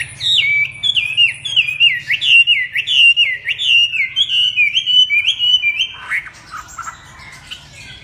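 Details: Chinese hwamei singing: a steady series of loud whistled notes, each sliding down then up, repeated about every half second, then softer, broken phrases.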